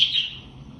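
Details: A budgerigar gives a single bright, high chirp that starts loud and quickly fades, a contact-call type sound used to find a lost bird.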